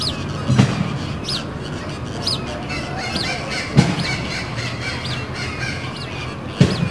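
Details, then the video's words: Fulvous whistling ducks, a pair feeding on duck chow at Sacramento Zoo, give scattered high, bent whistles among occasional low knocks and thumps, with constant low rumble behind. "Fulvous Whistling Duck"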